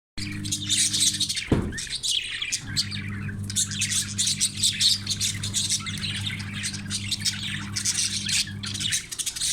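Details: Budgerigars in breeding condition chatter in a dense stream of high, scratchy chirps and squawks over a steady low hum.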